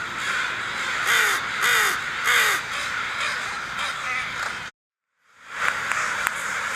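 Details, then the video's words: Crows cawing while flying off: three strong, harsh caws about half a second apart, more calling behind, then a short gap before the flock chorus returns. "Crows CAWING FLYING Off"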